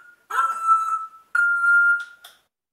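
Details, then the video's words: Pet African grey parrot imitating sound effects indoors: two long, level electronic-like whistled tones with rich harmonics, the second followed by short clicks. "African Grey does sound effects"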